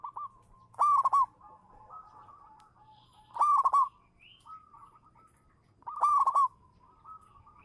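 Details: Local-strain zebra dove (perkutut lokal), a champion bird singing in 'manggung' style as a lure: three loud, bubbly, rolling cooing phrases repeated about every two and a half seconds, with faint softer calls between phrases.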